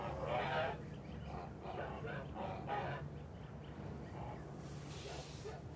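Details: Kholmogory geese on a farm, recorded 29 March 2021, giving a run of short, harsh, nasal honks in quick succession, about four a second, over a steady low rumble of background noise.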